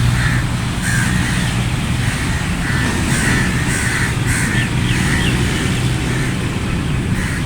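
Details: Crows in a flock giving rough, drawn-out caws in a loose irregular series, some overlapping, set against strong continuous low-pitched rumble and a faint steady hum.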